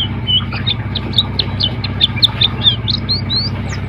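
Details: Contest Oriental white-eye of the Dakun type from Pacitan twittering rapidly with short high chirps and rising slurs, set against constant low rumbling background noise.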